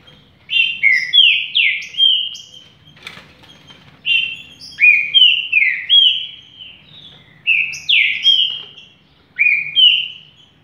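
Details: Caged Green-winged saltator singing repeated bursts of rich whistled slurred notes, each phrase of three to four strokes, phrases repeated about every two seconds with short pauses, a faint flutter midway.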